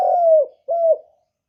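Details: Two loud, drawn-out, low mellow coos, each gently falling at the end, from a spotted dove kept as a lure bird to bring wild doves in for trapping.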